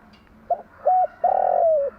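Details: Spotted dove, a female used as a lure to stir other doves into cooing, gives a morning coo: two short hollow notes, then a long throaty note that slides downward at the end, over a quiet steady hum.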